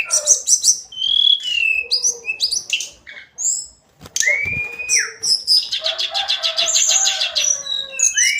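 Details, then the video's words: Hill blue flycatcher, or tledekan gunung, singing its everyday song: a dense stream of varied chirps and slurred whistles, a short lull, then a long buzzy trill with rising and falling whistles. "Kicauan harian Tledekan gunung"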